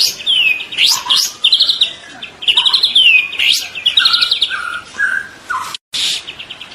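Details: Juvenile (spotted 'trotol') White-rumped shama singing energetically: loud whistled notes sliding downward, buzzy rattling trills and sharp upward sweeps, phrases separated by brief pauses, with one sudden silence near the end.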